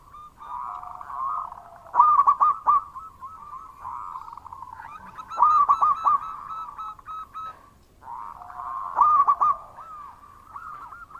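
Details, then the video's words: Loud, persistent song of a local Indonesian zebra dove: short rolled coo phrases of four or five quick notes return about every three and a half seconds over continuous softer background cooing. "Perkutut Lokal Gacor Suara Keras"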